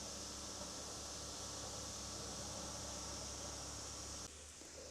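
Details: Steady mechanical hum and hiss, like a fan or engine, which drops in level near the end, with no animal sound.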